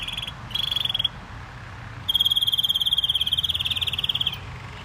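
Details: Caged canary singing: a short rapid trill, a pause, then a long sustained rolling trill of high, evenly repeated notes lasting over two seconds.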